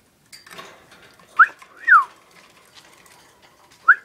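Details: Cockatiel whistling back and forth with its owner: the 1st, 2nd and 4th whistles are the owner, the rest the bird; a few clear notes, some rising, one falling, over faint room noise.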